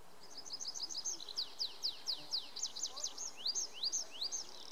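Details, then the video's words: Tree pipit singing in early June 2019 on the Schomberg at the Wildewiese ski area, Lennegebirge, Sauerland, Sundern, Germany: quick high repeated chips give way to sharp, slurred notes rising and falling, roughly three per second, over faint background hiss. "Baumpieper (Anthus trivialis) singt"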